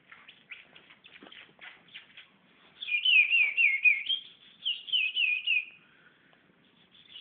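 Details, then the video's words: Patativa chorão (white-bellied seedeater) singing: a few soft, scattered chirps, then two bursts of rapid, rolling whistled trills. The trills wave up and down in even loops at high pitch. The background is quiet. "patativa chorão, com muita ordem"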